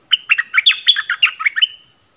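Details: Yellow-vented bulbul, lure recording dated 20 March 2021: a lively, bubbling phrase of about a dozen rapid chirpy notes, each dipping and rising, running together for under two seconds before trailing off.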